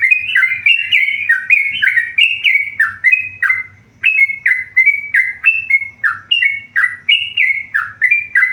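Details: Tame yellow-vented bulbul in vigorous song, pouring out rapid whistled notes that rise and fall in pitch, with one brief pause midway before the bright phrases resume.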